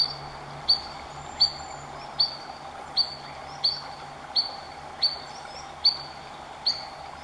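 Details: Adult Spotted Sandpiper at Three Forks Natural Area, Snoqualmie, WA, giving alarm calls at an intruder too near its fledglings: sharp, high single 'weet' notes about every three-quarters of a second over a faint low hum.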